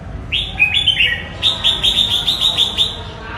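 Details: Red-whiskered bulbul song: a few short, bright whistled notes with slurred tails, followed by a quick run of about eight similar clear whistles spaced roughly a fifth of a second apart, over a low steady background rumble.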